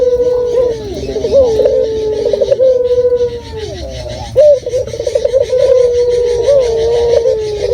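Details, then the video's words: Local dove, active and loud, used as a lure: repeated cooing phrases, each a bubbling pulsed trill that slides into a long level hoot, several times in succession. "Pancingan Burung Puter Lokal Gacor Suara Jernih Alami"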